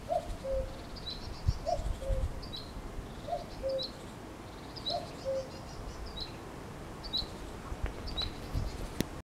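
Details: Cuckoo song recorded in May: four falling two-note calls repeated about every 1.6 seconds, while small birds give high, thin chirps throughout, with low rumbling noise and a few sharp clicks near the end.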